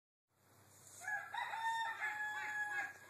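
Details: A farm rooster gives one long, strained crow, rising and then held in a harsh, tonal cry for about two seconds.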